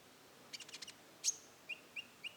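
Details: Rufous-tailed shama with roll tembak song. There is a quick buzzy stutter of five notes, then one loud sharp high note, followed by three short, evenly spaced lower whistles.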